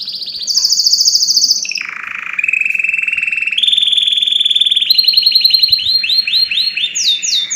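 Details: Canary tutor song: a high fast trill, then a lower harsh roll, stepping up through steady pulsed tours, ending in quick repeated downward-slurred whistles.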